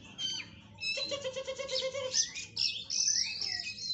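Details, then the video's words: Oriental magpie-robin tutor song with rich varied fill: a busy medley of sharp whistles, buzzy trills and sweeping high notes, one low steady tone beneath the middle section. "Masteran burung kacer isian mewah"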